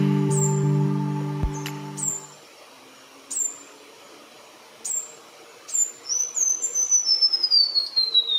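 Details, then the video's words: White-browed warbler song, an ethereal sequence of crystalline notes starting very high and descending: thin high whistles spaced about a second apart, then a run of liquid notes stepping steadily lower; loud low hum and a thump open the recording. "Pula Pula Assobiador"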